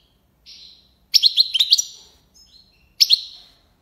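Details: European goldfinch song in the "tiwawati" and "lipassade" styles. A soft buzzy note is followed by a fast, bright, chirping twitter and a fading buzz. A quieter note comes next, then a final sharp chirpy burst.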